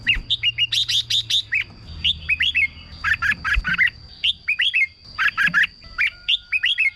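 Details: Red-whiskered bulbul singing, used to stir up caged birds: fast clusters of buzzy chirps alternating with clear downslurred whistled phrases, steady thin high tone in the background and a low hum in places.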